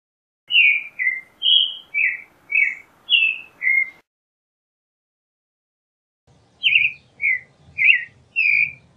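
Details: Turdus amaurochalinus, the creamy-bellied thrush, delivering two bursts of rapid warbled phrases, seven short fluty notes, then a gap of silence, then four more, with a faint low hum beneath the second burst.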